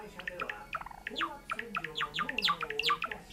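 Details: A pet cinnamon Java sparrow sings while pecking at a hangnail on a finger: a quick, uneven run of bright chirps and sharp falling notes with a faint human voice underneath.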